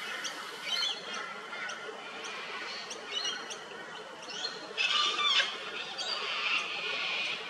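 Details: Sulphur-crested cockatoo in Australia, feeding at an old dead tree; scattered ticking and chattering notes build to a harsh rasping screech midway, then longer hoarse calls continue.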